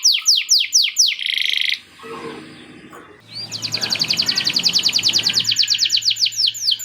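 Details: Canary singing with lovebird-style chatter. Falling whistled swoops lead into a short buzzy burst, then a brief noisy pause with low rustling. A long, rapid, steady trill of high repeated notes follows to the end.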